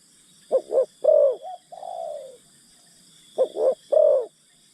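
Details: Decoy spotted dove calling to entice wild doves, with short double coos, a longer rolled coo and a trailing falling note, the phrase starting again after a pause; faint constant high hiss.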